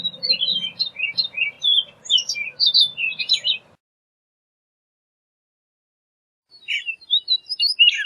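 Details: Orchard oriole pours out a jumbled series of short whistles and chatters for nearly four seconds over a faint low hum. After a pause, a shorter burst of rough and whistled notes follows.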